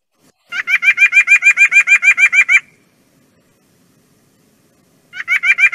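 White-breasted Nuthatch: a fast run of about fourteen nasal, mid-pitched notes over two seconds, then a pause and a second identical burst.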